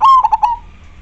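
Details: Local zebra dove in majapahit style giving one clear song phrase: a loud sustained whistled coo followed by three quick rolling notes that fade out, background otherwise quiet.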